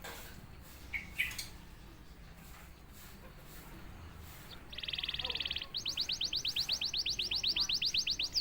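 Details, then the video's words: A canary, silent until prompted, starts mostly quietly with a few faint notes over background hiss, then bursts into a loud buzzy roll and a fast, regular trill of high sweeping notes. "KENARI GACOR||060|| Sekali pancing kenari diam langsung bunyi."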